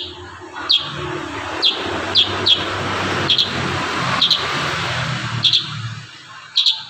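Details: Kurincang in dense 'tembakan rapat' song, a series of short shrill descending chips, some paired, partly masked by steady rumbling background noise.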